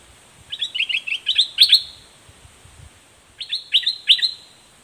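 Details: Straw-headed bulbul singing while confronting a wild bird. Two bubbly, warbled phrases of quick rising and falling notes, each about a second long and separated by a pause of nearly two seconds. A steady high hiss runs underneath.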